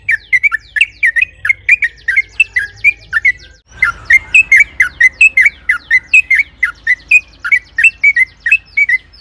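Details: Long, rolling song of a sooty-headed bulbul played to stir other bulbuls to sing: rapid chains of bubbly, slurred whistles about four per second, with a brief pause midway before the chatter resumes.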